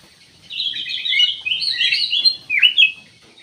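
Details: After a brief silence, a black-capped bulbul sings a flowing, continuous warble of bright notes, ending with two sharp, downward-swept chirps.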